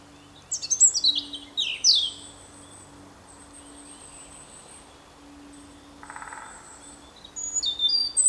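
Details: European robin singing: thin, high, sweet phrases that slide and warble, separated by pauses of a few seconds, with a faint low hum and a brief burst of mid-pitched noise in the background.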